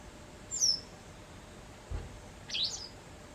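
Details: In autumn, white wagtails quarrel over territory in a house garden and keep flying indoors; two thin, very high, sharp call notes about two seconds apart, with a dull thump between them.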